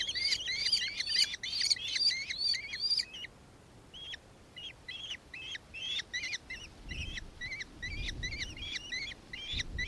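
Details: Rapid run of clipped, high notes from a nankeen kestrel in Victoria, Australia, 4 December 2024; the series fades, pauses about a second, then continues over faint low rumbling.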